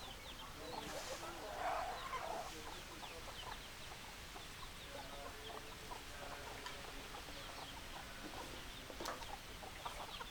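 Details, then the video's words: Hens clucking in a flock: irregular soft clucks about twice a second, one louder drawn-out cackle early on, a steady background chatter. "Chicken Sounds Noises Hens Clucking Roosters Crowing"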